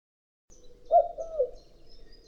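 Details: Common cuckoo in spring giving a single soft, hollow two-note cuckoo, the first note higher and the second dropping lower, in otherwise quiet surroundings.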